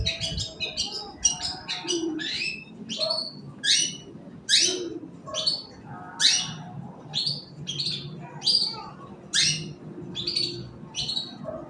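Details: Long-tailed shrike in the morning, a song used to stimulate other birds to sing: harsh, buzzy downslurred notes repeated about once per second in a steady rhythm, with quieter scratchy notes between and soft background noise.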